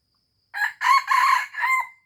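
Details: Red junglefowl from Aceh crowing loudly, a broken crow in four bursts: a short opening note, two long harsh middle sections, and a final note ending in a thin held tone; faint insect trill before.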